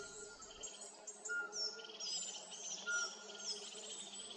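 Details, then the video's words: In forest in spring by day, a Eurasian pygmy owl sings single clear, mellow whistles about a second and a half apart, nearly drowned out by busy high chatter of crested and other tits agitated by its presence. "In the video, you can hear pygmy owl song, but also you can hear all the other birds that were very disturbed by its presence."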